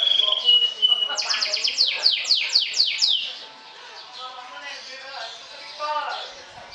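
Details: Atlantic canary, a champion trilling singer, sings to provoke rivals. A steady whistled note leads into a run of rapid descending notes, about four a second, which fades into a quiet, soft warble.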